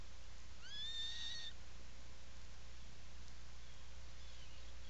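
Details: Seal Island National Wildlife Refuge, Maine, Atlantic puffin nesting burrow, burrow camera, 17 July 2018, afternoon: a single rising then level whistled wail of under a second, then a much fainter call later, all over a persistent low hum.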